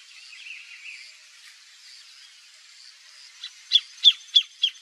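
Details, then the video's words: Wild greater thornbird (Phacellodomus ruber), a species with no visible sex differences, singing free in nature: after soft background twittering, five loud, sharp, high notes ring out in a steady series at about three per second. "CANTO DO PÁSSARO GRAVETEIRO"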